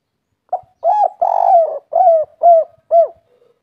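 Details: Derkuku, the spotted dove, in its kuk 3 song style: two short hoots, a long rolling coo, then three clear downslurred coos spaced about half a second apart, mellow and low-pitched without background noise.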